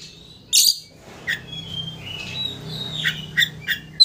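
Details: Oriental magpie-robin lure song, used to rile a rival into opening its tail: a loud harsh burst, then scattered short whistled and buzzy notes between 2 and 8k, separated by brief pauses over a low background hum.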